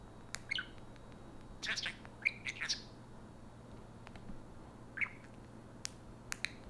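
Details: A pet parakeet indoors gives scattered sharp chirps and short squawky notes, separated by quiet gaps of about a second, between bouts of the imitated "Hey Siri" talk that activates an iPhone.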